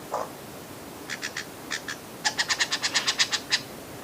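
A lyrebird gives sharp, ringing clicks, first in small groups of two or three, then a quick run of about a dozen, after one low note.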